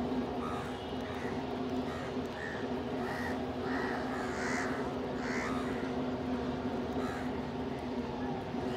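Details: Several crows calling while feeding together near pigeons; many short, fairly faint caws overlap across the recording over a continuous low hum.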